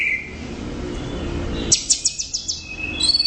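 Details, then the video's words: Orange-headed thrush giving a sustained high note, then a fast series of sharp ticking chirps and a final bright whistled phrase, over steady background hiss. "Suara Burung | ANIS Merah Gacor Volume Keras Teler Mantap"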